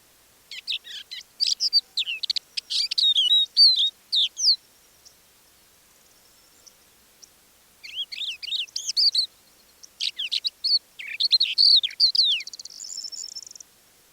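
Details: Crested Lark quietly singing its extended repertoire at Manych, Russia, April 2024, copying other species such as Common Linnet; parabolic-dish recording. Rapid whistles and chirps, a silent gap of about three seconds, then more varied phrases ending in a thin trill.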